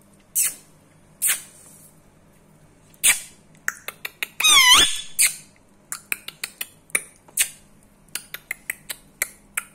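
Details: Indian ringneck parrot, a seven-year-old rescue bird kept indoors in India, making sharp clicking sounds at irregular intervals, with a loud, harsh rising-and-falling squawk in the middle of the run of clicks.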